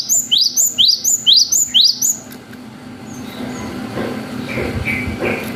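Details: Long wucit song of a cinereous tit, used to provoke young birds to reply: about eight sharp upward-sweeping whistled notes in rapid even succession, then low murmuring background with faint chirps.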